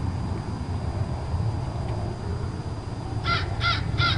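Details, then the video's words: Crow giving three harsh, ringing caws in quick succession near the end, following a few seconds of steady low rumbling background noise. "Crow Calls"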